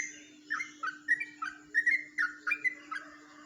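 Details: Yellow-vented bulbul from Jombang in its ropelan song style: softer, spaced warbled notes, each a quick rising-falling slur, about three per second, with a low continuous hum.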